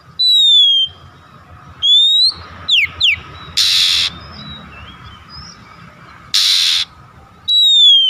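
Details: Oriental magpie-robin song used to prompt a reluctant caged bird to sing: loud high whistled notes separated by pauses, with two buzzy bursts and a low hum beneath.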